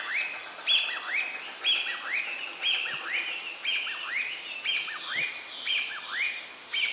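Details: Young varied tit giving repeated high chirping bursts about once a second, each mixing sharp upper notes with downward-curving slurred whistles below, over faint background noise outdoors.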